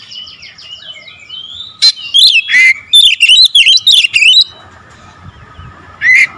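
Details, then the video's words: Kacer, or magpie-robin, singing a pancingan 'tembakan rapat' song. A thin, high chattering phrase leads into a run of loud, clipped whistles with sharp upslurs, packed closely together. After a pause a final emphatic note rings out over faint background hum. "PANCINGAN KACER SUPER POWER TEMBAKAN RAPAT"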